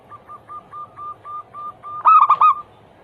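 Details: Zebra dove anggungan song played to coax other doves into singing: seven soft, evenly spaced coos on one pitch, then a loud, ringing rolled phrase of three to four coos to finish.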